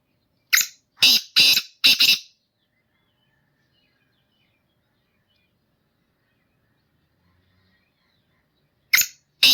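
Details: Black francolin, a kept singing bird, calling: a burst of four harsh rasping notes about half a second apart, long silence, then two more harsh notes.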